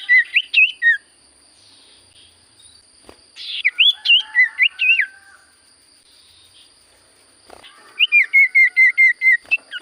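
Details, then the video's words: Common iora singing: twisting whistled phrases with pauses between them, ending in a fast, even series of about eight identical short whistled notes. A steady faint high hum lies underneath. "Burung sirtu cipoh gacor suara paling Top cer sirtu cipoh diam langsung nyaut"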